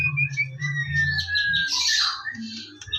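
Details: Morning song of a white-rumped shama, played as a lure to get birds singing: long level whistles, then a dense burst of high rasping notes, with a low droning background beneath.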